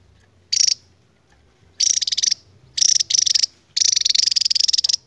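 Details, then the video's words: Javan tesia, endemic to Java, in its long ngebren song: four high, rattling trill bursts that grow longer, with the last running well over a second, separated by short quiet gaps. "BURUNG NGEBREN PANJANG .....GAK SESUAI POSTUR ..TAPI INILAH TESIA JAWA"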